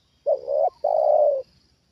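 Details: Trained spotted dove answering a wild bird lowered nearby for a second time. It gives a two-part coo: a swelling first syllable and a longer, level, slightly buzzy second note, loud and clear.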